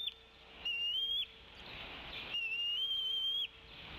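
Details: At the Decorah bald eagle nest, 27 April 2016 around 17:03, the female calls and tea-kettles while the male feeds the eaglets: two thin, high whistles about a second long, wavering slightly upward, over a faint hum.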